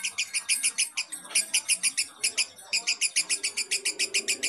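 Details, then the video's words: Fighter lovebird's long laughing ngekek, used as a lure call for baby lovebirds. Shrill, rasping pulses repeat rapidly and evenly in a steady chatter, with a brief break near the middle. "Suara Pancingan Lovebird fighter ngekek panjang ampuh buat pancingan baby lovebird"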